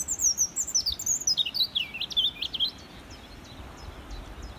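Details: A European robin singing in a tree at Cammo Estate gives one quick, high, liquid phrase of tumbling, varied notes lasting under three seconds, then falls quiet over a soft low rumble.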